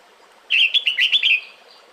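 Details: Red-whiskered bulbul female calling the male in breeding season: one rapid phrase of about six bright, slurred whistled chirps rising and falling, lasting about one second, with quiet hiss before and after.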